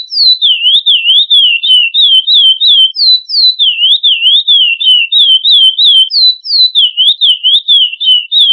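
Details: Chestnut-bellied seed finch (curió) singing the classic Florianópolis song, used for teaching young birds: a continuous run of clear, slurred whistled notes, rising and falling in loops, with occasional higher sweeps; no other sounds.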